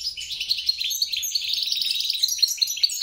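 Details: Hybrid European goldfinch × grey-crowned goldfinch, a mule, singing a continuous twittering song of rapid high chirps and trills with brief bright whistled notes, no other sounds.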